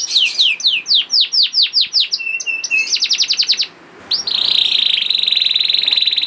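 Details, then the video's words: Young canary (kenari paud) singing to coax silent canaries into song: fast falling whistled notes, a short flat buzzy phrase, rapid trill, brief pause, then a long sustained buzzing roll. "PANCINGAN KENARI PAUD TERBUKTI AMPUH MEMANCING KENARI SUSAH BUNYI IKUT GACOR"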